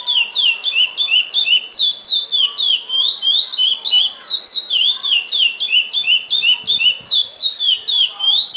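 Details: Chestnut-bellied seed finch (curió) singing a repeating fibra-style song: clear whistled notes alternating between high and slightly lower pitch, delivered in quick regular pairs about three per second throughout, over a faint background hiss.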